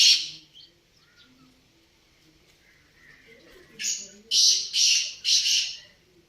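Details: Black francolin (kala teetar) calling: a harsh note at the start, then a run of four loud grating, rasping notes about half a second apart, over soft background bird notes.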